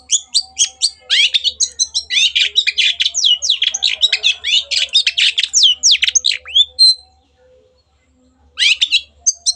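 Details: Long-tailed shrike song meant to prompt silent birds into singing: a dense run of fast chattering, sweeping notes for nearly seven seconds, then quiet, then a few renewed chirps.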